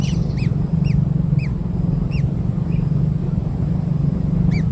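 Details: Sparse begging chirps from kingfisher newborns being fed black insects: single arched squeaks spaced about half a second to a second apart, with a long gap near the end, over a steady low drone.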